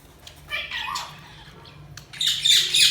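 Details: Budgerigars chirping: a few short harsh chirps and warbles, then a loud buzzy squawking burst near the end.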